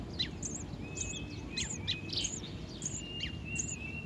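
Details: Baby house sparrow at the nest: thin, high chirps repeated about twice a second, with a steady, lower whistled tone drawn out in the background over a dull, low rumble.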